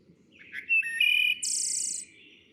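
A Wood Thrush sings a short phrase: soft low notes, a clear flute-like whistle, then a high, shimmering trill. No other sounds intrude.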